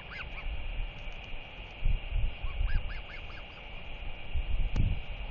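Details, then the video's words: Royal albatross chick, 121 days old, excitedly wheeing and begging a neighbouring parent that stopped to rest at its nest: short arched whistled notes in loose runs, mostly mid-clip, under strong rumbling wind. "Royal Albatross ~ SP Shows Off His Wings! Begs Parent LKL But Gets A Clack Instead"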